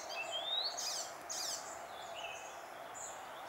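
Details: Icterine warbler singing in June 2021, giving a thin rising whistle followed by harsh buzzy bursts and scattered short chirps over a constant hiss of background noise.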